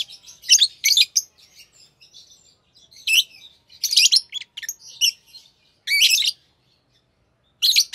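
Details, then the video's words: Green Fischer's lovebird pair, a captive pet pair, singing in bursts of harsh, buzzy chirps and chattering notes, high-pitched, in clusters with short pauses between them. "Lovebird Singing & Chirping Sounds - Green Fischer Pair"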